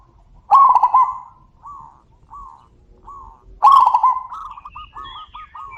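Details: Zebra doves calling back and forth: a loud rolling coo phrase, then soft separate answering notes, then a second loud phrase flowing into a string of quick trilled coos, with faint high bird chirps.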